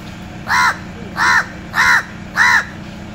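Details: A crow gives four raucous caws in a steady series, each short and harsh with a slightly arched shape, repeated about every 0.6 seconds above a quiet hum.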